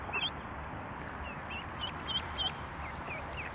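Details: Mallard duckling swimming on a pond, scared and calling for its mother: thin high peeps, some rising and some falling, given in a quick uneven run of about eight notes over steady background hiss.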